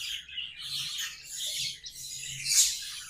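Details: Budgerigar warbling, short run of buzzy high twitters ending in one loud sharp squeak, soft low hum behind.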